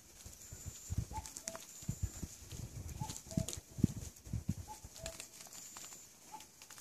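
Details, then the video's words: Cuckoo in the woods in spring 2014, giving its two-note falling cuck-oo about every one and a half seconds, partly masked by heavy low thumping and rustling handling noise, with a thin high steady whistle from another source. "뻐꾸기 소리(The sound of the cuckoo in the woods)"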